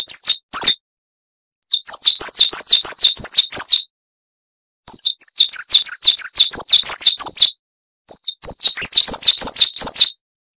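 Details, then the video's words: Coal tit, Periparus ater, long 'wucit' training song for cage birds: short bursts of rapid, high, clipped two-note phrases repeating many times, in four bouts separated by roughly one-second silences. "Masteran Burung Gelatik Wucit Panjang Ngalas - Coal Tit"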